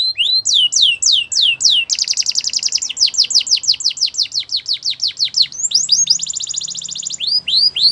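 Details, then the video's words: Singing Belgian canary, aimed at stirring other canaries to song: looping whistled notes, then a long, loud run of rapid falling sweeps, a fine fast trill, and closing slurred whistles. "Special canaries to seduce all the canaries to make them sing | Belgian canary"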